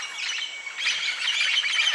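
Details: Dense chorus of harsh, grating squawks from about 50 yellow-naped and red-lored amazon parrots at a roost site along the Coco River, La Moskitia, Honduras, overlapping without pause and swelling louder, with biologists chattering.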